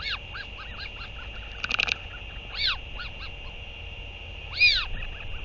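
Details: Northern royal albatross on 8 June 2023 during a parent's return to feed the chick; soft arched calls, a brief rattling burst, then two louder drawn-out arching cries, with steady hiss behind.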